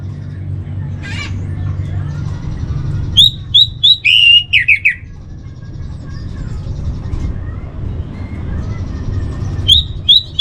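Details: Orange-headed thrush master song for training, heard as two short bursts of sharp whistled and slurred notes near the middle and again at the end, over a steady low rumble with faint chirps.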